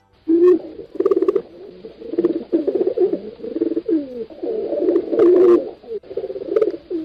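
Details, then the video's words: Several pigeons cooing at once, a dense murmur of low, gurgling coos rising and falling in pulses, broken by sharp clicky taps now and then, without a quiet gap. "Tiếng Chim Bồ Câu Hót"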